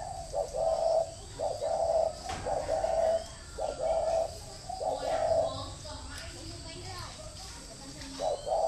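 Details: Spotted dove kept as a decoy bird near Ba Vì, Hanoi, Vietnam, cooing in the "thổ mổ còi" pattern: low mellow coos in short-long pairs with brief pauses between them, plus faint background noises.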